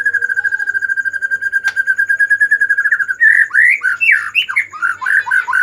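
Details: White-rumped shama in emotional, agitated song meant to provoke silent shamas: a steady, rapid trill of level whistled notes, then a burst of loud, varied, swooping whistles.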